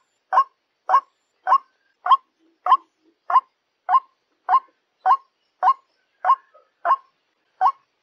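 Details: Repeated croaking of a white-breasted waterhen, played to attract other waterhens: thirteen rough, clipped notes at a steady pace of nearly two per second, each one short and nasal, in quiet surroundings.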